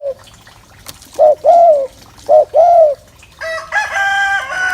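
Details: Spotted dove giving a gù coo meant to excite males: two low, soft phrases, each a short note followed by a longer, gently arched hum, then a brighter harmonic sound at the end.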